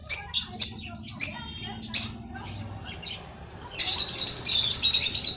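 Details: Conure giving clipped, harsh squawks at irregular intervals, then a long continuous raspy screech over the final second and a half.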